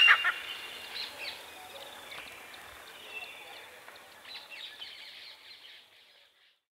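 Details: A pair of Grey francolins calling from a tree branch in the early morning: loud, shrill notes that open sharply, then a quick run of repeated high, harsh calls that fade away, over faint background hiss.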